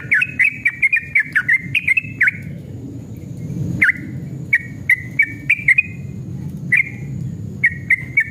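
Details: Yellow-vented bulbul (trucukan) in agitated, fighting mood, singing in long rapid 'ropel' style as a lure to get other bulbuls singing: quick runs of bright chirpy whistled notes, bursts at the start, then scattered phrases over a low rumbling background.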